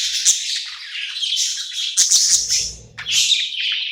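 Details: Budgie happy at night after moving to a new home; continuous high, buzzy warbling with whistled chirps, briefly dipping before resuming, a faint low rumble midway.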